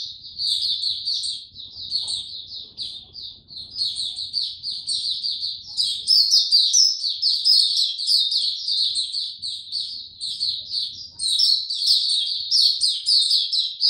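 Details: Long bout of song from a caged white-eye recorded 29 April 2022 without health supplements: thin, hurried twittering notes chained together nonstop, intensifying midway into a louder, richer warble.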